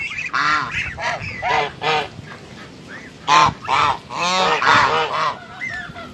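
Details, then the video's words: Several white geese give loud, nasal, harmonic honks in irregular bursts, about two per second, calling over one another. "suara angsa putih"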